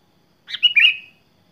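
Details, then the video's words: Sooty-headed bulbul from a singing display of varied phrases: one brief slurred phrase of warbled whistles that rises, then fades, heard clearly against silence. "KUTILANG GACOR BONGKAR ISIAN"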